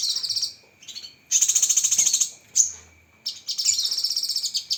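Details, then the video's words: Cucak kinoi in a masteran training recording full of sharp 'tembakan' fill-ins: high, rapid buzzy trills of evenly pulsed notes, broken by short chirps and pauses, over a steady faint high tone. "Masteran Burung Cucak Kinoi Full Isian Tembakan Pedas"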